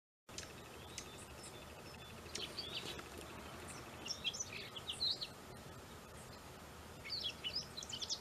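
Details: Many tiny birds calling and hunting along the water's edge before dawn at Puskus Lake, Holly Springs National Forest, Mississippi, 23 November 2022, clear sky and cool. Short high chirps and twitters come in bursts near the start, middle and end over a steady background hiss.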